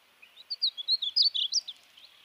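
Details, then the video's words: A single high, sweet painted bunting phrase of rapid chirped and slurred notes that rise and fall, delivered in under two seconds against near silence. "Painted Bunting Song"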